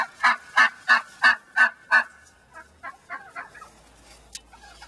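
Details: Laying hen angry at being put back in the big pen, giving six loud, evenly spaced nasal squawks, then a softer run of fainter broken notes.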